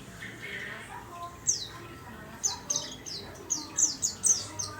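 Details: Warbling white-eye singing in a small cage: after a soft, murmuring start, bursts of high, quick, falling whistled notes arrive in clusters, several close together near the end, over a faint low background hum.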